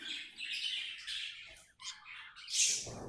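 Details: A happy pet budgerigar warbles in a continuous, slightly scratchy chirruping stream, finishing with a louder rasping burst.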